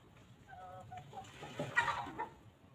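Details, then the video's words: Free-range chickens roaming a peaceful farm, grazing and pecking at fresh grass: a few soft, low clucks early on, then a burst of scratchy pecking and rustling noises with a brief cluck among them. "Chickens Pecking and Clucking"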